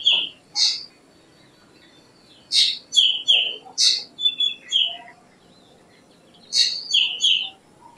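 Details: Black drongo (Dicrurus macrocercus) singing harsh chattering notes interleaved with clear downslurred whistles in irregular groups, with a gap of about two seconds mid-sequence, over a soft low background hum.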